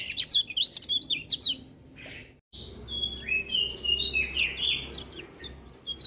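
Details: Lemon-bellied white-eye (kecial kuning) singing energetically while other birds join: a brief volley of sharp high whistled notes, a pause, then drawn-out, slightly buzzy slurred whistles rising and falling.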